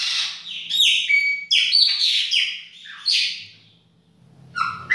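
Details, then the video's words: A chopi blackbird pours out a baianinho song indoors in a kitchen, dense, ringing whistles that swoop and tumble, fading to quiet before a final sharp note, with a low hum behind. "PÁSSARO PRETO BAIANINHO DA UMA PALHINHA NA COUZINHA !"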